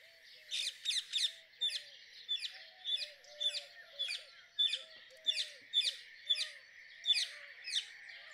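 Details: Rose-ringed parakeet calling in an uneven series of sharp, harsh screeches, some doubled, about a dozen over eight seconds, over a constant high buzz and soft low curved notes from another bird.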